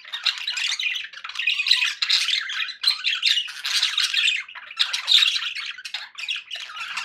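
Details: Happy pet budgies producing a continuous dense chatter of buzzy warbles, clicks and squeaky chirps, several birds calling together with only tiny breaks throughout.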